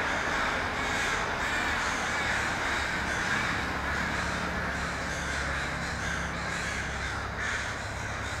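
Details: Crows crowding into a Vancouver tree, British Columbia, captured on an iPhone 5S: constant rasping caws from many birds overlap, with sharper individual calls punching through about twice a second and a low background drone.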